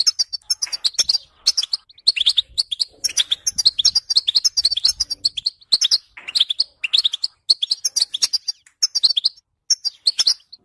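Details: Sustained European goldfinch song, a dense, cheerful tumble of tinkling chirps, rapid trills and nasal buzzes repeated in close phrases over more than ten seconds.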